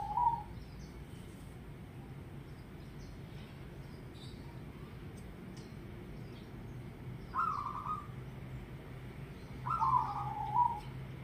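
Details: Perkutut, the zebra dove, giving brief clipped coos: one short note at the start, then after a long pause two more bursts of quick, bright warbling coo notes, with low-pitched rumble throughout.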